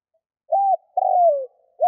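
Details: Decoy spotted dove luring wild doves with a soft two-note coo, level then long and descending, and a further coo just beginning as the sound cuts off.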